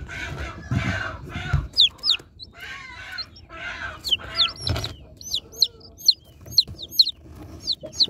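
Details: Baby chickens being unboxed: loud rustling and handling noise in the first half, then a run of high, thin, downward-slurred peeps repeated about twice a second.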